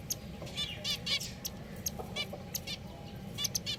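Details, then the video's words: A lively flock of pet finches trades quick nasal beeps and high clicks, with notes bunched in rapid runs over a quiet background hum. "Beautiful Finches"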